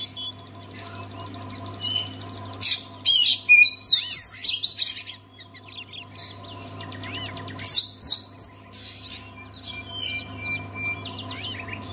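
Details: Oriental magpie-robin song meant to trigger singing in other magpie-robins: separated bursts of loud, varied whistles, slurred notes and quick chattering, with quiet gaps between phrases and a steady low hum.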